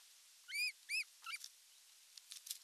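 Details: Osprey at a nest in the Satakunta region of Western Finland, July 19, 2022, as the male arrives with a big fish: two loud, arched, whistled chirps in quick succession, then fainter broken chirps and a few clicks.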